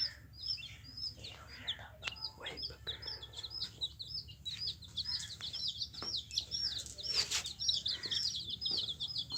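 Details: Several yellow baby chickens peeping together, their shrill, brief chirps crowding into a fast, uneven chatter that grows busier toward the end, over a faint low hum.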